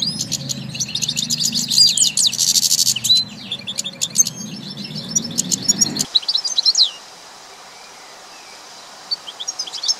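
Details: Goldfinch song: lively jangling twitter with fast chirps and slurred notes for about seven seconds, then near silence broken by a few faint late notes.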